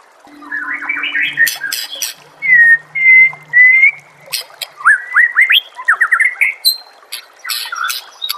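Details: White-rumped shama master song for training caged birds. Opens with a twittering run, then long clear whistles held steady, followed by quick upslurred notes and scratchy chips. A faint low hum sits underneath.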